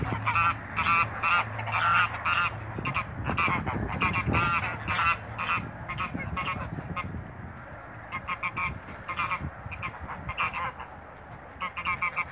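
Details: Six Toulouse geese, males and females, in a backyard; loud nasal honks given in quick overlapping bursts, several birds calling together, with low rumbling background noise and a pause in the calling near the middle.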